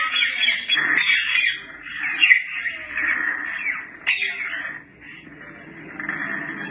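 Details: African grey parrot calls for attracting a parrot's attention: a run of harsh squawks and chatter, a sudden sharp call past the middle, then fading softer notes.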